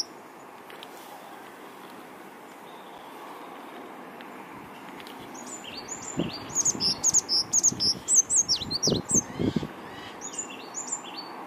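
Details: On a windy day, an injured African blue tit (Cyanistes teneriffae), missing an eye and a leg, sings and calls back: a quick run of high, thin chirping notes, about two a second, with a few low thuds.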